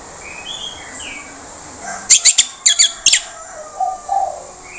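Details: Orange-headed thrush, a harsh-voiced lure recording meant to make silent birds respond at once: a cluster of short, rasping, high chirps packed into about one second, with thin whistles of other birds in the background.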